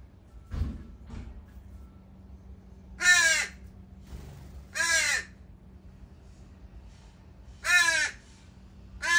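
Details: Young crows dropped off by at least three crow families at a feeding spot one morning, begging with loud raspy caws repeated at uneven intervals, about four calls, with faint knocks early on and a low steady hum.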